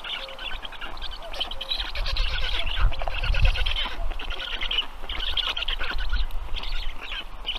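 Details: Black stork nestlings at dinner time on the nest in Estonia, 15 June 2022 evening; raspy buzzing bursts run continuously over a heavy low rumble of wind or movement.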